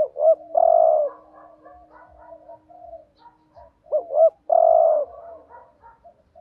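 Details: A spotted dove used as a decoy coos to provoke rival males; two phrases of hooked double notes leading into a long level coo, with quiet low murmurs filling the gap between.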